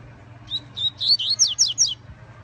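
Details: Yellow-bellied seedeater (coleiro baiano), a kept bird coming out of moult, sings a short whistled phrase: two brief level notes, then a rolling series of sharp, descending slurred whistles, with a faint low hum beneath.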